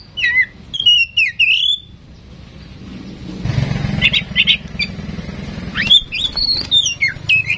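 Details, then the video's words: Female oriental magpie-robin, tame and vocal, kept as a song prompt for other birds, gives whistled slurs and chips at the start and end, while a passing engine rumbles in the middle. "Kacer Gacor jinak cocok untuk pancingan Kacer bahan"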